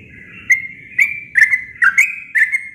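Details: Natural sooty-headed bulbul song, plain with no other birds mixed in: five bright chirpy phrases near the same pitch, each a sharp note sliding into a short level whistle, about half a second apart.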